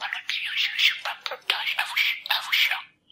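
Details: A budgerigar competing in a talking-bird championship in Poland chatters imitated Polish words in a thin, high, raspy voice, a quick run of speech-like phrases lasting about three seconds with no other sounds.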